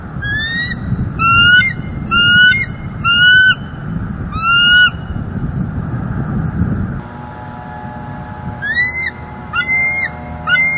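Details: Wild bald eagle pair at their nest in Northeast Florida, December 18, 2023, recorded by a live nest cam, the male keeping watch from branches. Five high, harmonic chirping calls come in quick succession, then a pause and three more, over low rumbling background noise and a steady hum.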